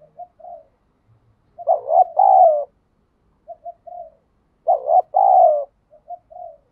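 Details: Spotted dove cooing outdoors in the 'thúc gù' pattern: soft short triple coos alternate with louder phrases of a double note and a long sliding coo, repeating in a steady cycle.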